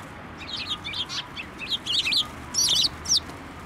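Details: Sparrows flying onto a hand to take food at a Tenmangu shrine, 9 December 2023: a burst of bright, high chirps and twittering notes, several birds calling in quick, irregular succession over a low background hum.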